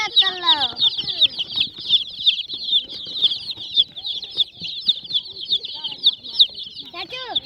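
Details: Flock of young domestic hen chicks peeping constantly, a dense stream of high chirps roughly three per second, with a few lower calls near start and end.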